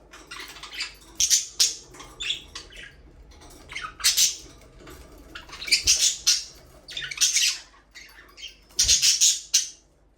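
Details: Pet budgerigars, parakeets in an aviary, a breeding pair, chirping for a lonely bird: bursts of bright, scratchy high chirps and warbles come in clusters roughly every one to two seconds, with quiet gaps and faint low thuds between.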